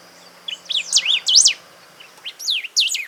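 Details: Golden-billed saltator song from Esperanza, Santa Fe, Argentina, 2020: two bursts of rapid, high, slurred whistled notes, about six per burst, swooping up and down, separated by a short pause; faint background hiss.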